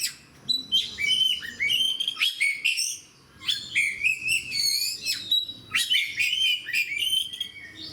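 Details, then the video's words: Oriental magpie-robin, a caged fighter kacer in full song, delivers dense, energetic whistled phrases with fast chirps, slurs and rapid note sequences, pausing briefly before resuming the bright, varied outpouring. "SUARA KACER GACOR DAN FIGHTER"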